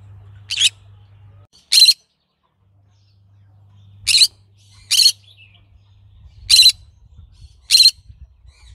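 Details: Green-cheeked conure (Pyrrhura molinae) calling: six harsh, raspy shrieks, each short and high-pitched, spaced one to two seconds apart over a faint low hum.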